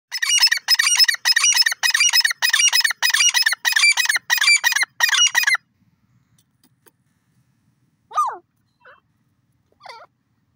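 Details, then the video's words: Grey francolin, known locally as irani teetar: loud, harsh, rhythmic repeated call notes, about nine bursts in five and a half seconds, then silence with a few faint, thin, descending whistled notes near the end. "irani teetar voice call beautiful partridge birds sound"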